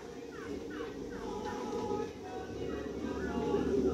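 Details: White-throated magpie-jay waiting for bread, giving a series of short descending notes that repeat rapidly, then a few level tones, over steady low background noise.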